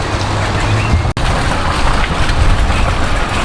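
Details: Steady low engine-like rumble with broadband noise and a brief cut, no animal calls heard.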